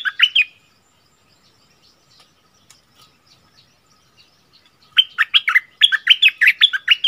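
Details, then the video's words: Red-whiskered bulbul, recorded 24 February 2021, giving its 'double song' style (เพลงเบิ้ล): a short whistled fragment, then four quiet seconds, then a lively run of about ten clear, quickly repeated whistled notes in two close phrases. "เสียงต่อนกดอกแตงEp.33เสียงใหม่ล่าสุด เปิดดอกเพลงเบิ้ลน่าฟังSuara merbah lekir"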